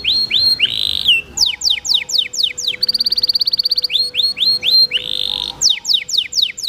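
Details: Canary song with murmuring water, a masteran tutoring recording meant to prompt other canaries to sing: rising slurred whistles, rapid downslurred notes repeated in bursts, a short rattling trill, a faint steady background tone and hiss.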